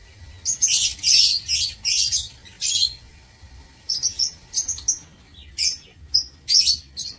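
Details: Shrill rhythmic squawks from lovebirds housed in an aviary, 16 March 2024, loud grating bursts roughly every half second, then quicker paired high chirps, over faint low hum.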